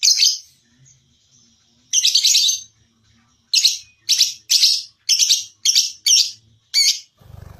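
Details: Lovebird for singing-contest training: loud, harsh, shrill chirps in short bursts, a longer buzzy note, then a rapid series of separate squawks about two per second, a low thump at the end.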